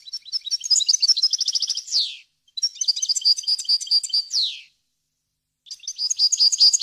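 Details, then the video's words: European goldfinch, a bird kept by breeders, singing a varied, clean song meant for teaching young birds: fast twittering phrases of high tinkling notes ending in a descending buzzy sweep, three bursts separated by short pauses. "غناء طائر الحسون ، صوت صافي وخالي من الاخطاء لتسميع الفراخ"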